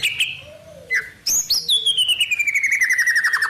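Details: White-rumped shama song full of wild-bird phrases: a few short whistles and a sharp high note, then a long, rapid trill sliding steadily downward in pitch.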